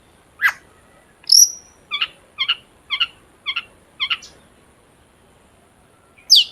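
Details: Long-tailed shrike singing, played as a lure to make other shrikes sing: a sharp high downslurred note, a bright whistle, then six short paired chips about every half second, and a final high squeaky note after a pause.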